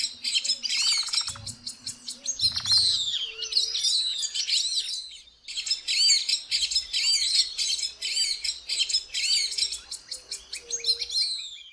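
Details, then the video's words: A Magpie Tanager in Brazil gives a dense, busy chatter of sharp, high chips and squeaky notes, nearly continuous with a brief pause midway; a faint low hum at the start. "Canto da tietinga"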